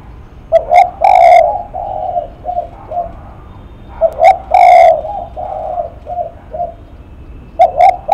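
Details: Spotted dove repeating its cooing phrase three times: each phrase opens with short clipped notes, then a long hollow hoot and a few fading softer coos.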